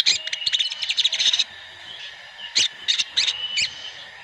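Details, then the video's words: Flock of sooty-headed bulbuls used as a lure to get birds singing quickly. A rapid string of sharp bright chips for over a second, a pause, then several quick clustered chirps. "pancingan sogon ontong (sogon) ombyokan agar cepat bunyi"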